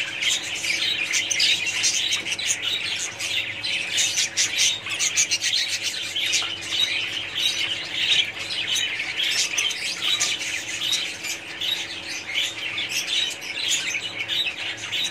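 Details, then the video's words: A budgerigar colony keeps up busy chatter: rapid, overlapping squawks and sharp chirps pile into a constant high bright din, about one and a half short calls per second standing out, irregularly spaced. "budgies parrots colony"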